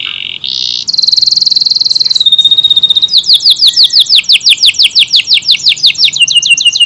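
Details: Canary, AF type, singing a long, tight burst: a buzzy high note, then a sustained ringing trill, breaking into fast, repeated upward-swept whistles.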